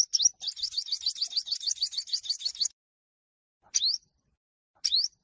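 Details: Olive-backed sunbird in fighting song, sung to provoke other birds: a long, fast run of about twenty high rising notes lasting nearly three seconds, then two isolated upswept chips after a pause, in a clean recording.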